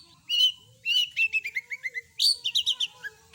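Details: Mimicking song of a long-tailed shrike: a whistled note, then a descending run of short clear chirps, followed by a higher burst of rapid chirping notes.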